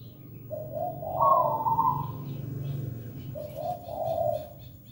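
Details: Zebra dove of local stock in full, melodious song: a gentle coo rising into a bright trilling burst, a quieter stretch, then a second soft rolling coo phrase; steady low rumble underneath.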